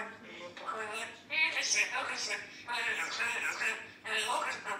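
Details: Pet grey parrot (Psittacus erithacus) speaking newly learned Russian phrases such as "Alexei, pretty man". It gives three bursts of bright, slightly nasal, word-like syllables with brief pauses between them.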